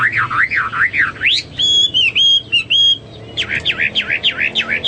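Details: Hwamei singing, recorded as a tutor song for caged birds: wavering whistled notes rising and falling quickly, then a run of sharper flat whistles, ending in a fast series of looping slurred phrases.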